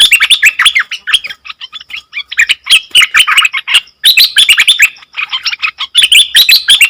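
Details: Nok dok taeng bird whose song baffles wild birds, singing in lively phrases of quick chirps and warbles, each a second or two long, broken by short silences around the four- and five-second marks.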